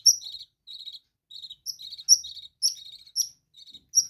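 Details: Budgerigars kept in a bird room chirp and chatter almost without pause, mixing sharp high whistled notes with lower buzzy warbling phrases in an uneven, lively stream.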